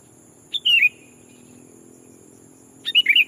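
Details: Decoy sooty-headed bulbul calling to lure wild birds as if a rival: a pip and falling warbled slur, then after two seconds a longer bubbling four-note phrase.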